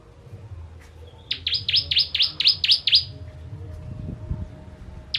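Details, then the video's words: After a quiet start, a ciblek or bar-winged prinia bursts into eight fast, piercing chirps in quick succession, then pauses before one more note; intended for tutoring contest birds. "Ciblek Kristal Tembakan Pedas Cocok Untuk Masteran Burung"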